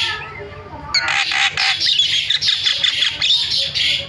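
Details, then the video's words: After a quiet start, a starling bursts into loud, grating squawks that continue steadily with brief pauses. The sound is a lure used to get silent starlings calling. "MASTERAN JALAK SUARANYA BIKIN JALAK PADA TERIAK"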